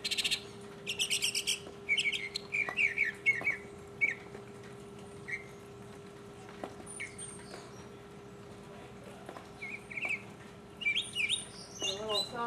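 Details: Solo mockingbird song recorded in 2015, delivered in scattered bursts: a quick run of repeated high notes, then short whistled phrases separated by long pauses, ending in a rapid warbled series over faint background hum.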